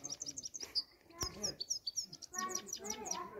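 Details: Grey-crowned (Himalayan) goldfinch in Istaravshan, Tajikistan, giving quick, high, tinkling chirps in rapid runs, with a sharp click midway and faint lower murmurs like distant voices.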